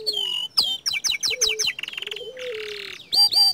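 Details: Young canary song with clear descending whistles, a run of quick downslurred notes, a buzzy rolling trill and bright looping phrases at the end.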